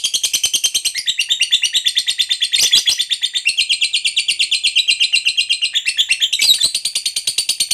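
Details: Lovebird fighter in full 'ngekek panjang' song, a long chatter used to provoke other lovebirds into answering: a rapid, high, buzzy trill of fast repeated notes running nonstop for about eight seconds, with brief shifts in pitch.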